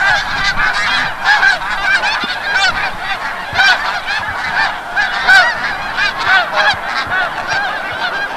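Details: Snow geese flying back from the bay at sunset, Forsythe refuge, New Jersey: many birds calling at once, a clamor of sharp, nasal honks in rapid overlapping bursts, rising and falling in loudness.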